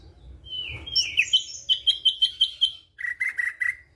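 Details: Ashy drongo, white-eyed form, an active daily singer, imitating a flycatcher (Sikatan Londo): a slurred rising whistle, then about seven clear, evenly spaced whistled notes, ending in four lower buzzy notes.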